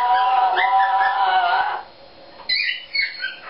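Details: Made-up song from a pet Eclectus parrot: a sustained, buzzy harmonic warble for almost two seconds, a silence, then a few higher squeaky notes.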